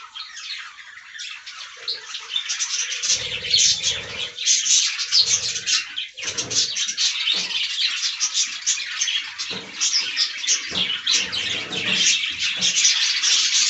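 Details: Many budgerigars enjoying fresh green leaves keep up a long, dense stream of squeaky chirps and grating warbles, rising in intensity toward the end, with scattered low thumps and rustles.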